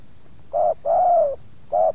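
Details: Spotted dove used to lure wild doves in Subang, met by two wild birds in one yard, the second putting up some resistance. Three mellow coos, short, long, short, with brief pauses and low background rumble.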